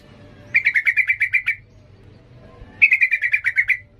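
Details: Sooty-headed bulbul in agitated 'ngalas' mode, used to train young birds: two fast rattling bursts of about ten clipped notes each, separated by roughly a second of quiet hum.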